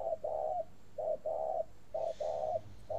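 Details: Caged spotted dove from a bird farm in northern Vietnam in a long cooing run, each unit a brief soft coo followed by a drawn-out hollow one, steady about once per second, faint background hum.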